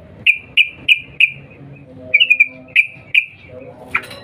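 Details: Sooty-headed bulbul calling to draw a reply: a steady series of short high chirps about every third of a second, a quick trill-like cluster, then a final sharp note, with faint low background noise.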